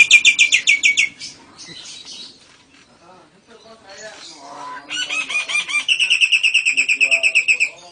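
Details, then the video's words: Nias hill myna singing lovebird and canary variations: rapid, high chirping trills open the clip, a quieter stretch of soft, mixed warbling follows, then a renewed long train of bright, evenly pulsed chirps. "Kicau Jalak Nias Gacor Istimewa Variasi lovebird & Kenari AF NGEKEK"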